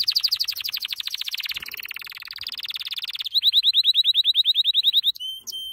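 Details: Canary training song of fast, even trills, a high rolling series giving way to louder rising-and-falling notes repeated about five per second, ending with a few clear whistles.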